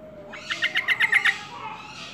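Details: Busy-singing yellow-vented bulbul gives one quick run of about seven bright, evenly spaced pulsed notes lasting under a second over a quiet, low background.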